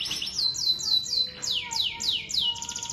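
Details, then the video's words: Canary singing a long-roll song: a rapid series of high, bright descending whistles, about three per second, ending in a fast buzzy trill. "KENARI TOP PERFORM"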